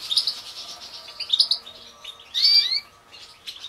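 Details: European goldfinch, cage-bred Major mutation from the 2016 season, sings two bursts of bright twittering chirps with a louder, sweeping phrase near the end, then falls quiet.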